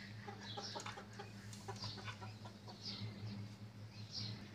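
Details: Chicks on a cloudy morning: faint, high, scattered peeps over a steady low hum, with a few soft clucking sounds underneath.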